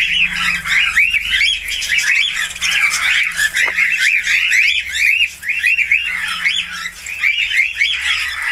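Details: Budgerigar warbling at length, rolling strings of scratchy, rapidly repeated arched chirps with a few short breaks, over a low droning hum.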